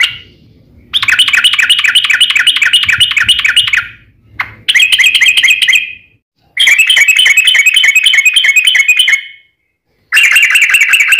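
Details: Sooty-headed bulbul delivering long rolling trills in its fighting song, a lure to make other bulbuls sing: four sustained rapid buzzy trills, each two to three seconds long, separated by short silences, faint low background rumble.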